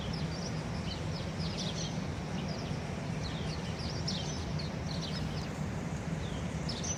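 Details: House sparrows in the city in Boston, Massachusetts chirp steadily, several birds trading short, bright, high notes almost nonstop, over a constant low rumble of city traffic.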